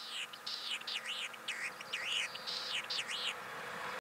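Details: Latham's snipe singing in Hokkaido, Japan, in summer 2017: a rapid series of harsh, buzzy, rising-and-falling phrases, about eight in four seconds, over a faint steady hum.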